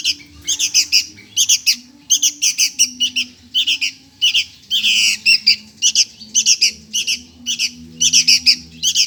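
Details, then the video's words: A young sooty-headed bulbul begs for food with a steady stream of rasping, high-pitched squawks. The calls come in quick pairs and triplets about twice a second, with one longer drawn-out squawk midway. "MINTA MAKAN ANAK BURUNG KUTILANG"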